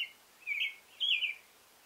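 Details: Male American robin singing, two loud whistled phrases about half a second apart, the second more complex with quick up-and-down inflections.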